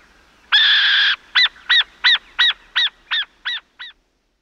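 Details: Burrowing owl at La Esperanza, Pirque, Chile: a long harsh, rasping screech, then about eight short, nasal chattering notes, roughly three per second, fading away.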